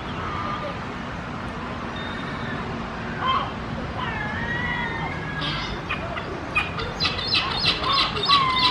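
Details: Two herring gulls, one still juvenile, at Pearson Park, Hull, duetting and mewing during pair formation: drawn-out, plaintive calls sliding up and down, then a quicker burst of overlapping calls near the end, over steady wind or surf.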